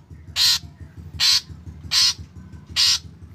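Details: Black drongo used to prompt other drongos to sing. Four loud, harsh, grating rasps come nearly a second apart over a steady low rhythmic background hum.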